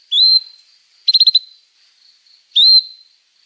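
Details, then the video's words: Canary notes from a training recording for young canaries: a rising whistled note, a quick burst of about five stuttering pulses, then another rising whistle, each separated by silence. "Kenari Gacor Panjang Cuit Cuit emosi, Pancingan Kenari paud belajar bunyi, terapi ampuh kenari macet"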